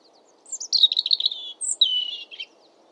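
A European robin sings a brief, high, liquid phrase: thin sliding notes, then a rapid warbled trill, then a falling whistle, with faint background hiss.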